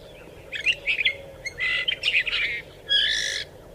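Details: Desert finch singing: short bursts of buzzy, nasal twittering and a drawn-out rasping note, separated by brief pauses, over a steady low background hum.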